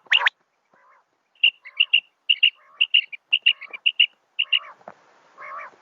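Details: A female common quail calling at night gives short, sharp double notes, repeated about twice a second, with softer lower nasal notes between them. The call is used as a lure in quail hunting.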